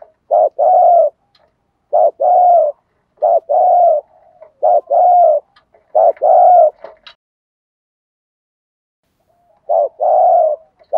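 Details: Decoy spotted dove cooing in the thúc gù style used to lure wild doves: low, hollow, two-part coos in a steady series, five phrases within about seven seconds, a pause of some two seconds, then one more phrase.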